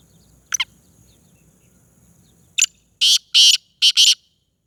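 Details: Black francolin, known locally as kala teetar, of the Sindhi type: a short note, then a loud harsh rasping phrase of about four grating notes with a ringing background tone.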